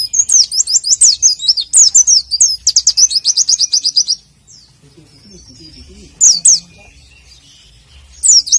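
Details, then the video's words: Warbling white-eye 'nembak' tutor song, meant for caged birds at morning dew: about four seconds of very fast, high chattering notes, then quiet with faint low sounds and two short bursts of trilling. "Masteran Pleci Nembak"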